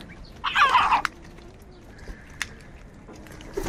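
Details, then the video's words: A crow gives one harsh, rasping caw lasting about half a second, followed by quiet with a few faint clicks in the background. "crow sound of kaka - কাকের ডাক Crow Sound | kaka sound and noises of crow birds"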